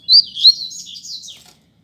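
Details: Short song phrase of a double-collared seedeater in a two-bird singing contest: two sharp bright opening notes, then a trailing, wavering run of high twitters that fades out.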